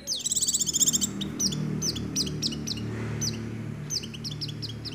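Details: Oriental white-eye singing in nagen ngecrok style with white-rumped shama phrases: a fast rattling trill at the start, followed by spaced, sharp high downslurred notes over a steady low background hum.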